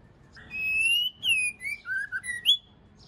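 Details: White-rumped shama female using song to stimulate the male: a long sustained whistle followed by a string of shorter whistled notes that dip and climb, ending on a high bright note.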